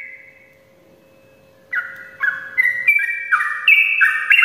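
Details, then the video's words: Sooty-headed bulbul's long ropel song, recorded in the morning as a lure for lazy birds. A faint whistle and quiet pause come first, then loud, chattering whistled phrases rise and fall in quick overlapping steps. "ropelan panjang trucukan gacor pagi hari untuk pancingan trucuk malas ropel"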